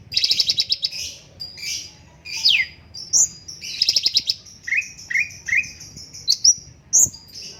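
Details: Straw-headed bulbul singing a busy high-pitched sequence of bright chirps, rapid trills and sharp downward-sweeping whistles, with short repeated notes and brief pauses between phrases.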